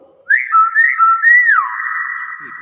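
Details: Pet common hill myna producing a long whistled phrase: a wavering, warbling tone that rises slightly, then drops and settles into a sustained flat whistle, with a person talking just before and after.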